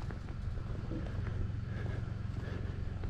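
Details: Low rumbling and rhythmic thudding steps fill the recording in the Ansião countryside of Portugal, with no animal voice standing out.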